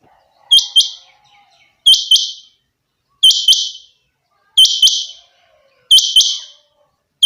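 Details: Rain quail (chinga batair) belonging to its keeper, delivering a steady run of five loud, high, doubled 'whit-whit' notes, one pair about every 1.3 seconds.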